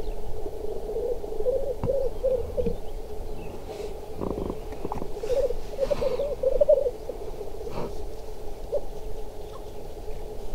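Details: Black grouse during a chase and fight giving a low, continuous bubbling coo that runs almost without pause, broken by a few soft thumps and flutters.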